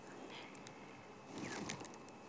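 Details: Crowned lapwing at sunrise in the Sabi Sand on 8 March 2016, during a drought, gives shrill, high, two-part 'kie-wiet' calls, its onomatopoeic Afrikaans name, in brief bursts under a quiet outdoor background and a man's voice.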